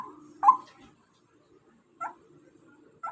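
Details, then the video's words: Female white-breasted waterhen giving three separate short, harsh notes, the first loudest, then two quieter ones spaced about a second apart, with a low background hum. "suara ruak ruak betina"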